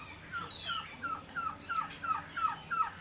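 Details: Morning calls of a male Amazonian White-tailed Trogon in Venezuela's Orinoco Delta: evenly spaced, descending notes repeated about three times a second, with some quieter higher notes over a soft background.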